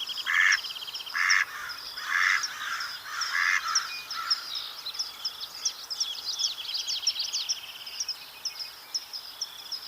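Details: Mallard duck quacking four or five times in quick, uneven succession, then falling silent while a chorus of thin, high songbirds keeps twittering and chipping.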